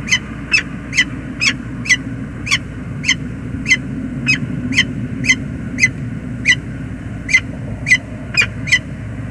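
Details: Male peregrine falcon at the James River Bridge, USA, calling on arrival one morning in November 2021: a long series of harsh, grating notes, mostly evenly spaced but occasionally doubled, over a constant low background roar.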